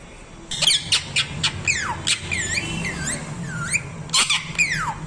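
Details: Parrot calls: sharp chipping notes, a long descending whistle, then wavering whistled slides and a final downward-swooping screech, over a low rumbling background.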